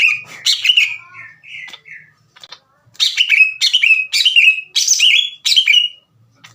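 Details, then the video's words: Loud, combative song of a greater green leafbird provoking other leafbirds into a fight. Quieter warbled phrases and a short gap give way to strong, evenly spaced downslurred whistles roughly every second and a half. "NGAMUK...!!!! CUCAK IJO GACOR NGEPLONG DAN TEMBAKAN KASAR NGAJAK IJO LAIN TARUNG."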